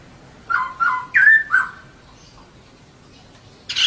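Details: Female laughingthrush, a cage bird used to prompt males to sing, gives four quick whistled notes, the third rising and loudest, then falls silent before a sudden harsh rasp at the very end.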